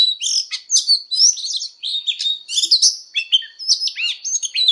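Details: Oriental magpie-robin singing its fighting song in training, with energetic varied phrases of whistles, buzzy chirps and looping slurred notes, closely packed and loud throughout.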